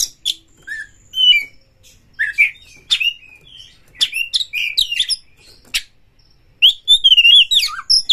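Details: Oriental magpie-robin, a lure recording of a bird seeking a rival to fight and roused into breeding excitement: bursts of varied whistles, rising and falling slurs and sharp chips, separated by short pauses, with several phrases clustered around the middle and end.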